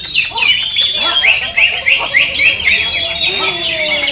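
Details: Cucak ijo or greater green leafbird, contest simulation recording for building fighting spirit; rapid ringing chirped notes repeated several times a second, with continuous overlapping songs of other birds.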